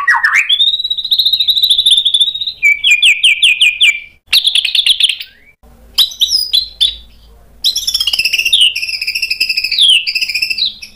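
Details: White-rumped shama in energetic song with sharp mimicked fill-ins, used to make other birds answer: a rising whistle into a long trill, rapid repeated notes, a buzzy burst, then long looping warbles.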